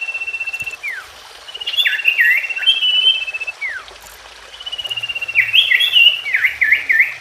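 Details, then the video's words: Common iora song, played to make silent or untrained caged ioras sing again: long fast trills held level, each ending in a downward slur, then bursts of warbled chirping notes, repeated over a steady background hiss. "PALING AMPUN BUAT SIRTU/CIPOH BAHAN ATAU MACET BUNYI KEMBALI"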